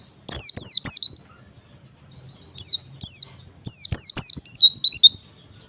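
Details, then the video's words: Song of a white-eye, meant to make other white-eyes respond: three phrases of thin, high whistles, mostly steep downslurred notes, the last phrase ending in a rapid series of short rising chirps. "semua jenis pleci pasti respon setelah dengar suara pleci ini"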